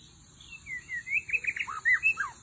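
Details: White-rumped shama song played as a lure in the forest: a varied run of whistled notes, rising and falling slurs, louder toward the end, over a steady high insect hiss.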